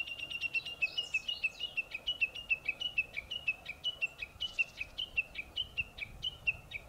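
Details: Japanese bush warbler singing in the morning from a tall treetop rather than its usual low shrub perch: a long, rapid run of sharp, high notes, roughly three per second, steady in pitch and loudness throughout.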